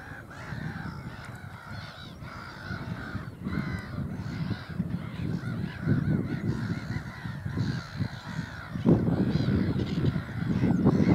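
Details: Several black-headed gulls calling at Burwell Fen in Cambridgeshire, England, mid-April 2015, a chorus of grating, croaking cries, rapid and irregular, growing louder toward the end against constant deep wind noise.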